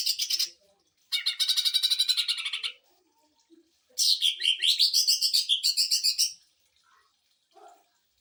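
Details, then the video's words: Quick 'sewing machine' style bursts from a greater green leafbird, used as a tutor for other birds and to rouse them: separate rattling phrases of rapid buzzy pulses, the last rising and falling in pitch, with short pauses between. "CUCAK IJO TEMBAKAN MESIN JAHIT UNTUK MASTERAN DAN PANCING EMOSI"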